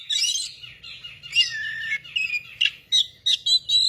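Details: Oriental magpie-robin singing a lively, varied song of bright whistles, trills and sharp chirps, with short loud bursts toward the end and a faint low hum underneath.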